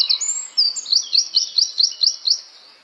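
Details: Flowerpecker, locally called small cayenne pepper bird, singing thin high notes: a drawn-out sliding whistle, then a steady series of about eight short, sharp chirps roughly every quarter second, fading at the end.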